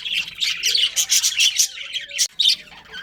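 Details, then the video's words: Pet budgerigars kept as a breeding pair, chattering in quick bursts of bright, scratchy chirps and warbles, several short sharp notes close together, with one brief silent gap near the end. "Budgies Chirping Sounds"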